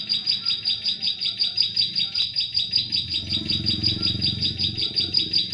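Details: Ciblek sawah, known as Bar-winged prinia, used as a trapping lure for prenjak klik in forest: a continuous rapid string of sharp, high chips, over a low rumbling background in the second half.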